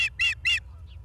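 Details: Osprey recorded by a live nest camera at Charlo, Montana, late August 2023: three harsh, high chirps in quick succession, then two faint distant notes against a quiet low rumble.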